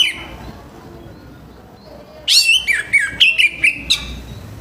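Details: Morning song of an orange-headed thrush, used to get other birds singing: after a quiet start, a burst of sharp whistled and slurred notes, several quick phrases in a row.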